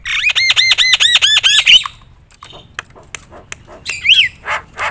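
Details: Javan myna singing loudly to provoke other mynas: a series of looping whistled notes repeated rapidly, followed by dry clicks, a rising-falling whistle and harsh rasps.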